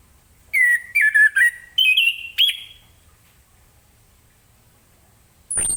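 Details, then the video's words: Orange-headed thrush giving its ngeplong morning song to prompt other birds; a short string of whistled notes, lower then stepping higher, then quiet, ending with a sudden high sweeping sound. "Anis Kembang Ngeplong Gacor di pagi hari, apapun burung anda pasti ikutan nyaut"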